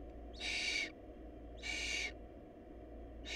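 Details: Barn owl nestlings going short of food: two drawn-out harsh hisses about a second apart, with a third starting at the end, over a low steady hum.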